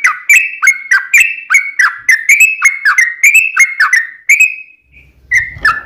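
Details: Yellow-vented bulbul, or trucukan, singing a long, fast song used as a lure for other bulbuls: rolling liquid whistles with sharp clicks, ending in a trailing note, then a short pause, a faint rumble and two last whistles.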